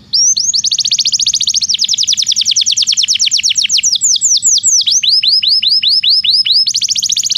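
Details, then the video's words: Singing Belgian canary on a training recording for non-singing canaries: continuous loud trilled tours, fast rolling notes giving way to slower looping downslurred whistles, then a rapid trill again. "Canto de canário belga"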